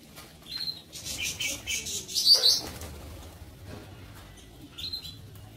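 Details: Lovebirds kept in a breeding aviary give short, shrill, high chirps, a few spaced notes with a brief burst of rustling and flapping in the middle.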